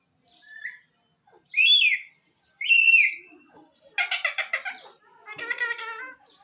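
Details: Talking parrot with a faint short whistle, then two loud rising-and-falling whistled calls, then rapid raspy harmonic chatter in two speech-like runs, each lasting about a second.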